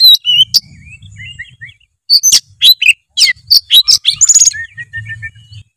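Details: Lively, full oriental magpie-robin song meant to set a quiet bird singing: varied high twitters and slurred whistles, then a dense run of sharp, clicking and chirping notes, ending in soft whistles.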